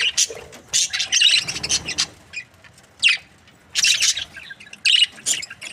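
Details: Budgerigar breeding pair described as happy, giving separate short bursts of raspy chirping chatter with quiet spaces between them.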